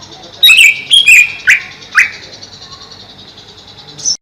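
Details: Greater green leafbird kept caged over a pond, calling a quick series of five strong notes sliding downward, the last two sharper and more abrupt, ending with a brief high note.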